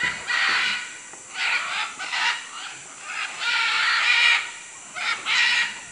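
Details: Macaws in Manu, Peru, give harsh, raucous squawks in rough bursts, about six in six seconds, each grating and loud, with short gaps between the cries.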